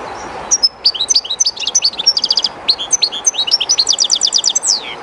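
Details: European goldfinch, one of a keeper's own birds, singing close to the flowing water of the Jerte River, somewhat shy in an unfamiliar place; bright high twittering phrases and rapid buzzy trills run continuously, with a steady hiss of the river behind.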